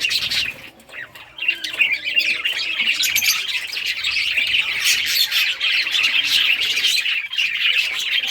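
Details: A group of rare-coloured budgies playing with toys on June 18, 2023, chattering nonstop in a dense, rapid high warble of overlapping chirps, fairly even in loudness.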